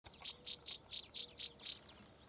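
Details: A Northern Rough-winged Swallow sings on Sauvie Island, Oregon: seven harsh, buzzy notes in a quick even series, about four per second, over a faint hiss.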